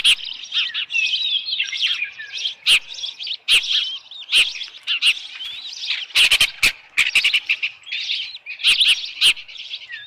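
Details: Osprey at its nest at Dunrovin Ranch, evening of 10 June 2018, with a headless fish; continuous high whistled chirping, broken by several very loud, sharp piercing notes that come singly and in quick clusters.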